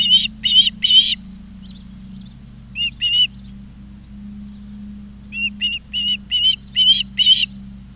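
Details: Osprey calling from its nest in Charlo, Montana, summer 2023: three loud whistled chirps, a quiet spell with a couple of faint notes, then a run of evenly spaced chirps; low hum throughout.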